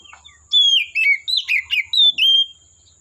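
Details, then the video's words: Forest-dwelling wild Oriental magpie-robin delivering a loud song phrase of about seven rapid whistled notes, some sliding down and some twisting, ending in a long clear level whistle; a faint constant high tone behind. "Suara Burung Kacer Asli Hutan"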